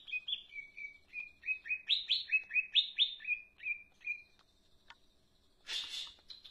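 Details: Leafbird singing energetically, a lively string of short, clear chirped and slurred notes repeated about twice a second, then a pause and a brief rustling burst near the end.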